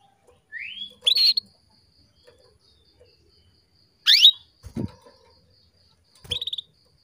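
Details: A female canary's calls meant to stimulate males to breed: a thin rising whistle, then a bright upsweeping note, a second upsweep a few seconds later, and a short buzzy trill. A soft thump is heard between them.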